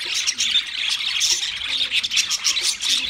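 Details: Budgerigars kept as pets warble continuously in bright, twittering high chirps and scratchy squeaks that pulse in quick irregular bursts.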